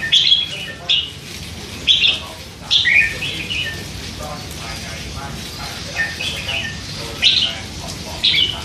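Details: Young hand-fed red-whiskered bulbul, three months old, singing in captivity: clear whistled phrases, each a quick rising-falling warble, spaced roughly a second apart, with softer chatter between.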